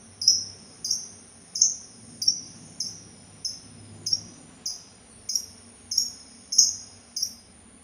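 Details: Sultan tit repeating short, sharp, high chips about every 0.6 seconds, roughly a dozen in a row, each with a quick downward flick, over a constant faint high whine.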